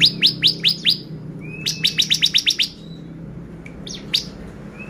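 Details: Bar-winged prinia song played as a lure to make birds excited: quick runs of sharp, downward-sweeping high chips, about five then eight in a row, followed by a few scattered notes.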